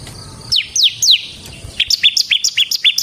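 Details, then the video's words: Bar-winged prinia, semi type, kept caged and singing to lure and train other birds: three slow sweeping downslurred notes, then a quick series of short high chirps. "suara burung CIBLEK SEMI GACOR Ngebren Ampuh untuk Pancingan Ciblek Kristal dan Masteran Ciblek"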